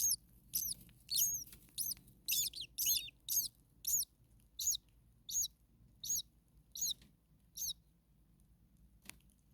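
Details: Starling chicks in a very hot nest give a series of sharp, high, rising squeaks about twice a second that slow and fade toward the end, over a faint low hum.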